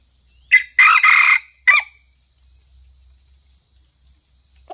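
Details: Crow of a Sumatran red junglefowl, played to lure birds for trapping: a brief raspy note, then a drawn-out coarse middle phrase and a short final burst, all in about a second and a half, with a faint insect drone behind and another call beginning at the close.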